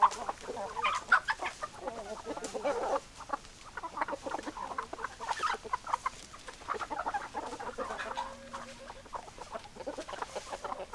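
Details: Flock of hens clucking continuously, dense overlapping bursts of short throaty clucks rising and falling in loudness, with a brief steady tonal note near the end.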